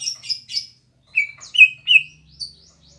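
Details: {'caption': 'Green leafbird singing melodiously at a home: three bright high chirps, then three loud slurred whistles dipping and rising, and a faint high note at the end.'}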